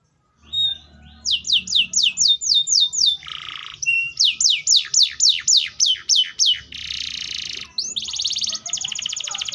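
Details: Atlantic canary singing after a brief silence: a quick run of descending sweeps, a low buzzy roll, another tour of falling notes, then rattling buzzy trills to the end.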